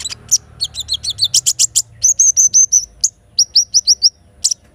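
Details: Morning song of a little spiderhunter (sogok ontong) with kinin fill: stuttering paired chips, then two series of five or six bright upslurred whistles.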